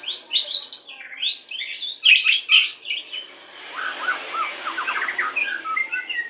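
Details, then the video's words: White-rumped shama of the type called pastol, song used as a lure to bring birds into breeding condition during pairing: varied clear whistled phrases rising and falling, followed by a rapid series of short repeated notes and softer scattered whistles. "PANCINGAN MURAI BATU PASTOL CEPAT BIRAHI"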